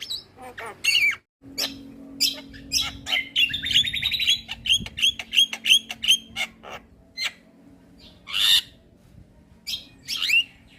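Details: Training recording of a Javan myna in full song for other mynas: a steady stream of scratchy, metallic notes and rapid repeated whistles, broken by brief gaps, with a faint low hum behind.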